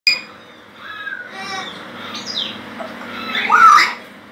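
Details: An Illiger's macaw at a bird rescue sanctuary indoors gives a few harsh, grating squawks ending in a loud raspy burst, shouting at the television; faint TV sound plays in the background.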